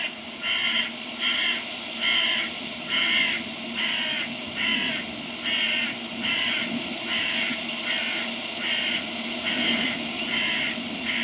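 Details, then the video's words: A crow at 2:44 am on the night of 13–14 April gives a long series of harsh, hoarse caws, about one each second at a steady pace, over a faint low rumble. "een kraai (2:44 uur) te horen"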